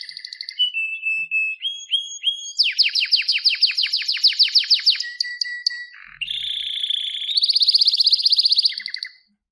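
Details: A canary's varied song: clipped notes and short whistles, a long run of rapid sweeping chirps, a steady lower whistle, then a harsh roll and a loud fast trill.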